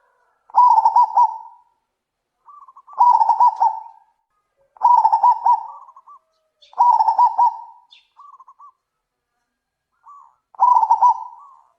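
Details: Zebra doves trading calls: five bursts of fast clipped cooing notes spaced about two seconds apart, with faint answering coos slipped in between the louder phrases.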